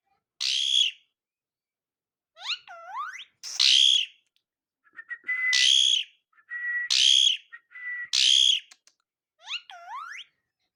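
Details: A pet Alexandrine parakeet mixes harsh screeching squawks with curving, looping whistles and a few flat steady whistle notes, in separate bursts against silence.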